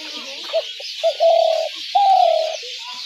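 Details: Spotted dove call used to lure doves into traps: two short clipped notes, then two long, slightly purring coos, the second starting higher and sliding down, over steady high hiss.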